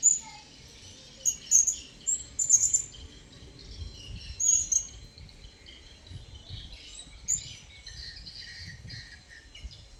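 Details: Wild blue-crowned hanging parrot approaching: thin, very high chirps in small clusters, strongest early on, over a dense shimmering insect drone.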